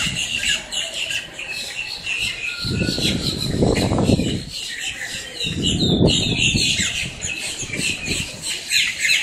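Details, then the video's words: Blackbirds making quite a racket in Miami, Florida, squawking and chirping in a constant high chorus, broken by two loud low rushing bursts of background noise. "Miami, Florida up-close - blackbirds squawking"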